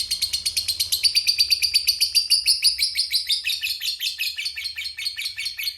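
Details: A lovebird delivers a long ngekek trill used to provoke other lovebirds, a loud, rapid, continuous chatter of harsh high notes sustained for nearly six seconds with a slight drop in strength near the end.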